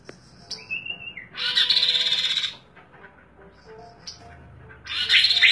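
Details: Chestnut-capped Babbler, a songbird known locally as kaso-kaso, kidangan or tepus glagah, singing actively: a thin whistled note, then two loud buzzy, rapid chattering bursts of dense high notes, each about a second long, separated by quiet pauses.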